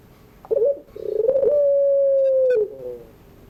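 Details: Afternoon 'pelung' crying song of a ringneck dove, meant for tutoring young birds learning to sing: a short burst, a rolling trill that swells, then one long level coo sliding down at its close, with a faint high chirp.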